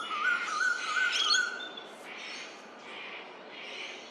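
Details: A male Eastern Koel in spring, calling across the Lane Cove River valley in Australia, gives a quick run of loud, clear whistled notes, four in about a second and a half, then only a soft hiss.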